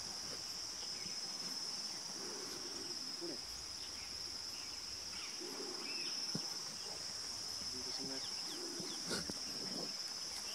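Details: Green imperial pigeon (Ducula aenea) in Gorumara National Park, Jalpaiguri district, West Bengal, India, in January 2018: deep, low hooting notes spaced several seconds apart, partly masked by a steady high-pitched insect drone and rural background noise.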